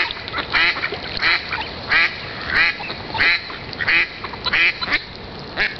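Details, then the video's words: Ducks quacking in fairly regular single nasal quacks, roughly one every two-thirds of a second, with softer murmuring calls in between and steady background hiss. "EENDEN, quacking DUCKS"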